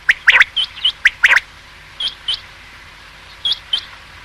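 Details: Male quail, the calling bird used for hunting, giving sharp, bright two-part notes in quick bursts, followed by softer, high, repeated clicks at intervals of about a second and a half.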